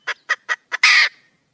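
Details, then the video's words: Junglefowl hen calling for a male: four quick, sharp clucks followed by a longer, loud, harsh, scratchy squawk that fades out. "le bruit d'une poule sauvage,เสียงไก่ป่าร้องหาถู่หาตัวผู้,ສຽງໄກ່ປ່າຮ້ອງຫາຄູ່ຮັກ, poj qaib qus see"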